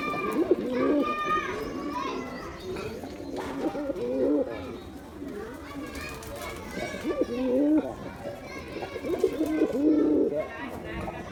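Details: Male Giribuz pigeon performs with bursts of deep, throaty cooing that return every few seconds, set against children playing and people talking nearby.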